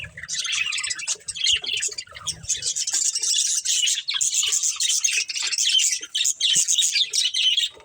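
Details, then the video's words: Pet budgerigars, a breeding pair, keep up nearly continuous high, buzzy chatter and twittering for several seconds, with light low knocking early on. "Cute Budgies Chirping Sounds | Love Birds Breeding Pair"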